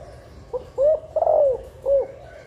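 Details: Nest-stimulating call of a female spotted dove, aimed at making hens lay fast and males eager; a faint lead note, a clear rising coo, a long sliding downward coo and one short closing coo.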